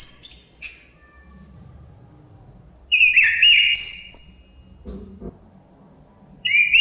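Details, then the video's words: Chestnut-capped thrush singing with faint wind noise behind: a high, slurred whistled phrase dropping in pitch, a pause of about two seconds, then another ringing phrase of bright descending notes, with a new phrase starting at the end. "Suara Kicauan Burung Terapi Anis Kembang Ada Suara Angin"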